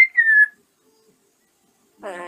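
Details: Male African grey parrot in his cage at bedtime gives a clear, slightly falling whistle lasting half a second, then after a pause begins a buzzy, speech-like babble.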